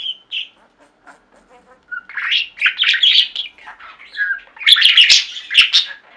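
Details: Indoor budgerigar flock: a few clear chirps and soft ticking at first, then loud overlapping warbles and squeaky chirps, peaking with dense harsh bursts toward the end.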